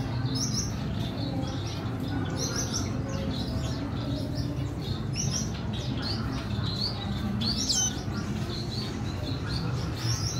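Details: Red siskin chick being reared by its mother, 14 April 2021, begging with thin, high chirps repeated rapidly in bursts, several a second, over a steady low hum.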